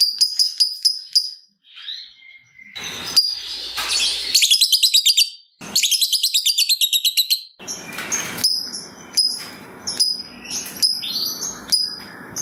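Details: Long chattering ngekek song of a lovebird, played as a lure so other lovebirds answer: rapid high ticking, then fast buzzy trilled runs and rattling pulses, followed by repeated sharp chips over background hiss.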